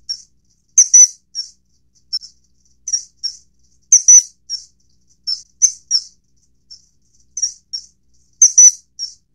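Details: Shrill, high-pitched kingfisher notes during the feeding of a juvenile Common kingfisher (Alcedo atthis): sharp piping calls, single, paired or in short clusters, repeated irregularly for nine seconds against silence.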